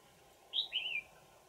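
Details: Red-whiskered bulbul, a wild old bird taken with a decoy on 20 December 2018: one clear whistled phrase, a high note dropping into a wavering, slightly falling whistle.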